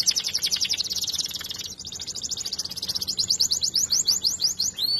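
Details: Song canary, a bird bred for its sweet singing, delivers a fast, high, unbroken trill. It starts as a dense buzzy roll, then turns into clear, rapid, repeated downslurred notes, about eight each second.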